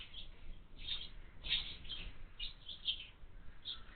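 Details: House sparrow chicks in a feeder mounted on a window give short, high, sharp chirps in loose bursts, about eight over four seconds, some doubled, over a soft low rumble.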